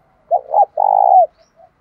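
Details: Lure spotted dove in 'đồng pha' voice giving a 'thúc bổi' call: two quick low coos, then one drawn-out, pulsing coo lasting about half a second, followed by faint soft notes.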